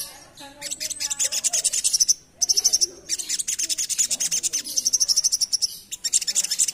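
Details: Asian pied starling performing ngerap song: long runs of rapid scratchy rattles and high buzzy chatter with a few lower slurred notes underneath, pausing briefly between phrases.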